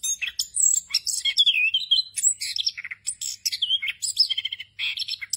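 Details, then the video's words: Rolling 'ngerol' song of an orange-headed thrush full of fill-in phrases, a training recording for untrained birds: clear sweeping whistles, falling slurs, short buzzy trills and quick high chips in an unbroken flow. "ANIS KEMBANG NGEROL FULL ISIAN EFEKTIF UNTUK MASTERAN ANIS KEMBANG BAHAN AGAR CEPAT GACOR"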